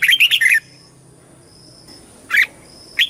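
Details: A red-whiskered bulbul in competition singing, meant to call the flock and train the voice. It opens with a quick burst of four loud warbled notes, then goes quiet, then gives single sharp notes about half a second apart.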